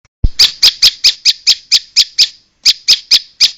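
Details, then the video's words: Bar-winged prinia lure call, used to draw other prinias together: a fast series of harsh, buzzy chip notes about five per second, with one brief pause before the string resumes, and a faint low knock at the start. "Pikat burung prenjak ampuh di jamin kumpul"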